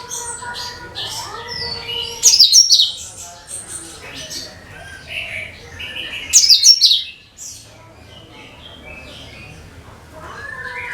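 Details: Cucak kinoi bulbul song used to attract other birds. High twittering with two loud rasping bursts about four seconds apart, then quieter scattered chirps.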